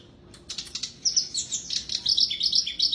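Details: Black-browed reed warbler singing busily, used to encourage silent birds to sing again: a few soft clicks, then a rapid, high, scratchy warble of chirps and squeaky notes that runs continuously and grows louder.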